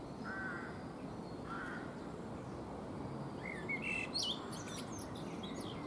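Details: A Eurasian blackbird sings from a fruit tree as it preens, giving two mellow fluted notes a second apart, then a rising run into a high, scratchy twittered ending, with a constant low hum behind.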